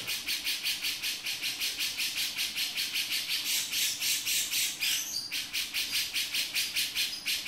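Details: Continuous rasping chatter of a male grey-cheeked bulbul in 'beset' style, rapid harsh notes repeated without pause, interrupted briefly near the fifth second.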